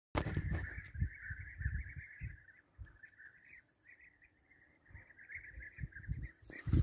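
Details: European bee-eaters (Merops apiaster) in a hunting setting give a steady stream of rolling, liquid trilled calls at mid pitch, with low thumps and rumbling handling noise underneath.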